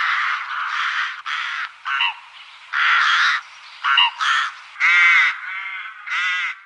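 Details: Rook in Lithuania giving a string of harsh, grating caws, each about half a second long, separated by short gaps and repeated roughly every second, with some notes rising into a nasal, ringing tone.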